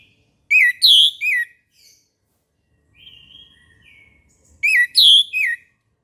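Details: Morning song of an orange-headed thrush: loud, clear phrases of three looping whistled notes, repeated after a pause, with a softer, drawn-out thin whistle in between.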